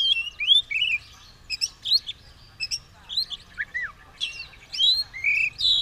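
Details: Oriental magpie-robin, ready to fight with tail opened, delivers short bursts of whistles, chips and a downward slur, separated by brief pauses.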